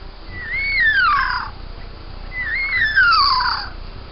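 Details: Young bowerbird giving two loud, slurred whistled calls about two seconds apart, each sliding downward with bright overtones and a short upper note, over a low steady background hum.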